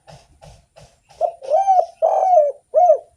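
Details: Spotted dove singing actively to stimulate other doves: a few faint soft notes, then loud arched coos that rise and fall, one long and rolling, ending with a short rounded coo.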